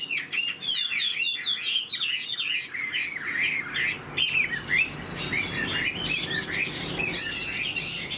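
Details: Tame caged Chinese hwamei singing: dense run of varied whistled and warbled phrases, rapidly rising and falling notes, continuous with brief harsher squawky notes, indoors with faint low background hum.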